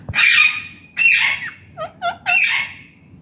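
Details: Indian ringneck parakeet, a talking parrot, in its natural voice: three harsh, hoarse squawks roughly a second apart, with a quick run of short, clipped chirps between the second and third; quiet background.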